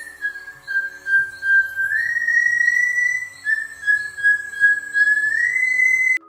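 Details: The Slaty-masked Tinamou, newly described in 2025 and restricted to the Serra do Giz massif, sings long, powerful songs that echo across steep slopes. Here is one long, pure, steady whistle of about six seconds, stepping slightly higher midway, over faint hum.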